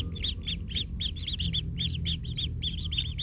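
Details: Kingfisher chick in its nest, stepped on by a parent and in pain, giving rapid high, doubled chirps, nearly four per second, some overlapping as if from more than one nestling; low rumbling background noise.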